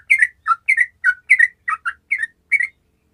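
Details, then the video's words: Sooty-headed bulbul gacor song for prompting lazy bulbuls: eight loud, rich, gurgling two-part phrases, each dropping then lifting in pitch, repeated about every third of a second with a steady rhythm. "TRUCUKAN MALAS LANGSUNG MERESPON DENGAN SUARA TRUCUKAN GACOR INI"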